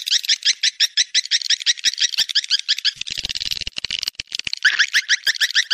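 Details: Swiftlet mating call, a rapid run of short, buzzy, twittering chirps repeated about three times a second, each with stacked high harmonics, growing denser midway and ending in a louder rising chirp.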